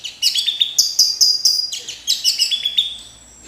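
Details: Orange-headed thrush delivering a rhythmic run of sharp whistled notes repeated several times a second, in two quick series, loud and clear over a quiet background.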